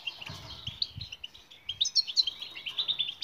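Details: European goldfinch singing, for training mute birds to sing: quick tinkling twitters rising into a rapid series of bright, sharp chirps, with faint low thumps at the start.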